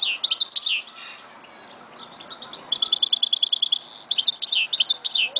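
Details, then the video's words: Song of a goldfinch mule: twittering, swooping high phrases, a brief lull, then a fast metallic trill, a buzzy note and more lively twittering. "Mule Goldfinch"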